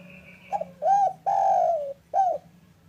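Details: Single full phrase from a local spotted dove in the afternoon, used to lure reluctant doves to sing: four mellow coos with the third long and slightly falling, over a faint low hum.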